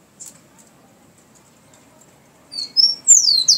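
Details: Rufous-collared sparrow, known locally as chingolo or tico-tico, beginning its song after a quiet pause: a couple of high whistled notes followed by a descending slurred whistle, cut off at the end.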